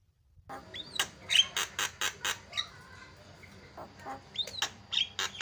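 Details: Javan myna song played to make other mynas sing: scattered harsh broadband clicks and chatters with a few short rising whistles, spaced irregularly over steady low hum.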